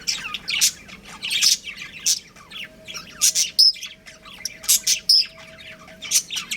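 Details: Budgerigar breeding pair kept as pets, chirping busily: dense bursts of high, scratchy chirps and squeaks, with a few sharp whistled notes, in quick irregular runs with short pauses; a faint steady hum sits underneath.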